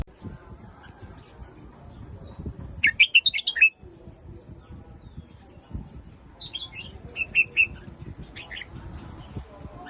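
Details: Red-whiskered bulbul singing in the Phetchaburi song style: two bright bursts of quick warbled, bouncing notes about four seconds apart, over a low murmur of background noise.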